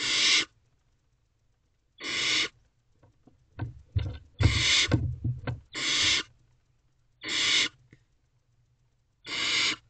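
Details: Barn owl owlets in a nest box at night in early May, one gulping down a mouse as siblings look on. Loud rasping hiss bursts repeat roughly every two seconds, with scuffling and thumping movement sounds in the middle.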